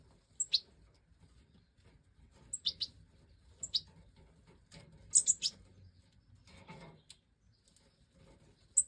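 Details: Goldfinch of the Major form in 2024 breeding footage: scattered high, thin chirps and short twitters, some paired, spaced a second or more apart, with a faint low murmur between them.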